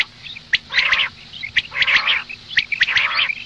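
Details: Female common quail repeating a pattern of a sharp click followed by a dense, harsh chattering burst, about once every second.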